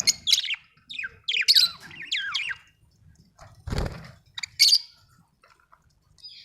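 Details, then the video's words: Budgie, named as an Australian bird, making several sharp downward-sliding chirps and squeaks, then a dull thump midway and a final bright chirp, with quiet spaces between. "budgie chirping sound"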